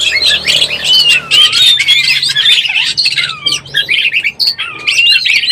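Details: Breeding-condition Oriental magpie-robin used as a trapping lure, singing busy whistled phrases with sweeping slurs and harsh squawky notes, with a faint low hum underneath.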